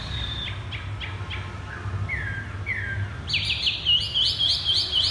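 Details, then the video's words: Chinese hwamei on the ground singing short descending whistles, then a rapid run of loud high looping notes repeated in quick succession. "Chim hoạ mi đặt đất hót thắt cổ chai thắt cổ chai"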